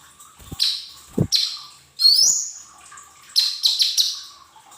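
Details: Lesser green leafbird singing, recorded to stimulate cage birds into song: clusters of bright high chirps with one sweeping rising whistle, a faint tap and a background hum.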